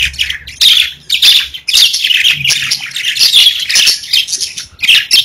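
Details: Pet budgerigars (parakeets) singing and chirping: dense, overlapping high warbling chatter with scratchy chirps and brief clear whistles, near-continuous with short pauses, a faint low hum underneath.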